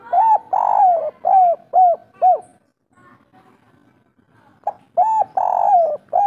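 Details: Local spotted dove delivering kuk 3 song: soft hollow coos, one long swelling note among shorter falling ones, a faint lull, then the phrase starts again.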